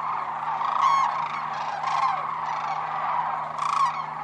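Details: Sandhill cranes wintering at Whitewater Draw, Arizona, after a bitterly cold night with thin ice on the pond: loud rolling, trumpeting calls at intervals, with quieter overlapping crane voices between and a faint low hum.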